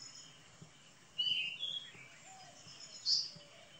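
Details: Common kingfisher giving thin, high, whistled notes: a short pair of piercing tones, then a sharper single whistle near the end, over a soft background hiss.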